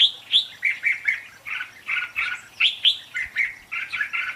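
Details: Red-whiskered bulbul decoy song for trapping, sung contest-style: crisp, whistled notes in short phrases, about two to three loud notes each second, clean background.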